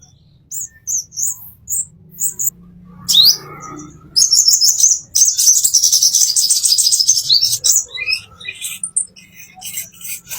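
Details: Plain-throated sunbird (konin) master song meant to train caged birds: a series of brief high chirps, one sweeping note, then a long fast, dense burst of sharp, very high twittering, followed by scattered thin notes.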